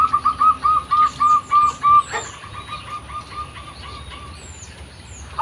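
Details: Local zebra dove with its original voice, meant for luring: a regular string of short, evenly spaced coo notes, roughly four per second, while other birds add thin, high whistled slurs.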